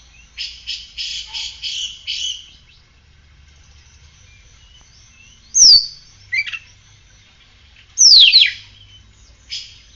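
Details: Caged oriental magpie-robin singing after a care routine of morning sunning and morning dew: a run of rapid buzzy chirps, then quiet, then sharp high whistles that sweep steeply downward, with a few short chips between.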